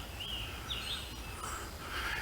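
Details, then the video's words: A Scarlet Tanager along the South Branch in Hunterdon County gives its call: a few short, hoarse, robin-like but harsher phrases, high and slightly burry, about half a second apart, over a steady rushing background. "this is the call of a scarlet tanager, one of our brightly colored songbirds,"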